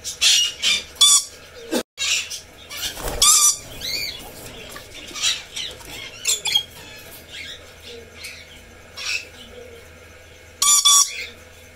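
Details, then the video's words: Red lory, a parrot species, uttering scattered harsh squawks and short grating bursts with clicks and a sharp knock between them, ending in a loud double screech. "Red Lory"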